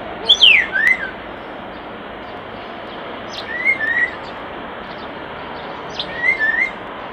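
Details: Common starling at its nest box repeats a short whistled phrase three times, roughly every three seconds: a falling note then a small rising pair, against a constant low hiss.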